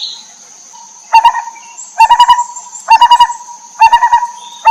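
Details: Mother lineated barbet feeding chicks, wild. After a brief quiet start come four bursts of low, hollow, rapid hoots, each roughly four notes, spaced about a second apart.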